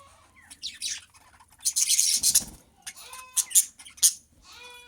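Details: Budgerigars breeding for the second time chatter with scratchy, buzzy notes, rapid chirps and short whistled warbles.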